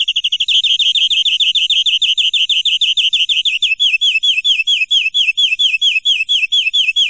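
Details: Long 'gacor' canary song in the 'nembak' style, kept for tutoring: a quick trill that gradually slows into a string of swooping, down-curving whistled notes, about three per second, repeated steadily to the end.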